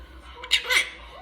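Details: A Quaker parrot learning to talk gives two quick, raspy, high-pitched syllables, part of the phrase "what you doing", in a quiet room.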